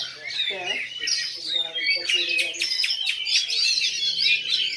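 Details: Black Oriental magpie-robin singing in the bowing style at a regular bird-singing contest in Lhokseumawe, Indonesia, on 9 January 2022. Rich, fast, varied whistles and chattering phrases, with a brief lower sound near the start.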